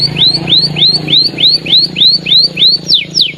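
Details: Canary singing loudly: a fast run of identical rising-then-falling whistled notes, about three per second, ending with two steeper descending sweeps; a low hum runs underneath.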